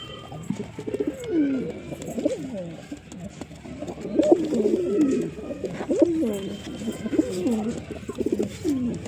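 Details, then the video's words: Continuous chorus of pigeons cooing, many low bubbling phrases overlapping and rising and falling throughout, with scattered soft clicks. "Pigeon Sound Effect"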